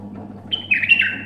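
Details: Bulbul singing a short clear whistled phrase: a steady high note that breaks into warbled notes sliding slightly downward, over a low steady hum.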